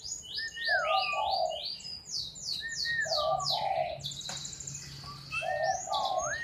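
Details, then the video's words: Black-naped oriole singing a repeated phrase: a rising-then-falling slurred whistle leading into two rich fluty notes, given about three times, while other small birds chatter busily with rapid high notes throughout. "Burung Kepodang Super Receh"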